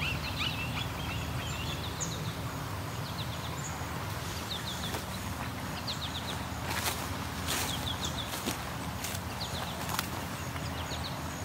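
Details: An osprey along the Grand River in Waterloo, Ontario, possibly a young bird, calls non-stop in short series of clear, slurred whistled chirps, about one series a second, over wind rumble and a few clicks; two present, one standing over a nest.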